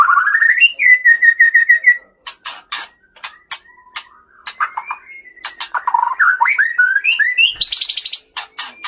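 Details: A male white-rumped shama from Bahorok, Leuser mountains, Aceh, a fighter that mimics master birds, sings rich, varied whistled phrases, some rising and slurred, mixed with sharp dry clicks and ticks in a fast, irregular stream.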